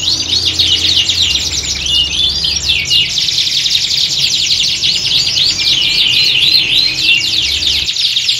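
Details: Several canaries singing together in a contest-like atmosphere, used to train a canary's nerve for singing competitions. Dense, overlapping high twittering with rapid trills and buzzy rolls runs without pause. Faint low hum underneath.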